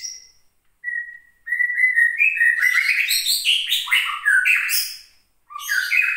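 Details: Female white-rumped shama from Gunung Leuser, Aceh, caged and provoked by contest birdsong, bursting into a sharp, angry song: plain whistles leading into a rich, rapid run of varied chattering and whistled phrases, then a short pause and renewed phrase.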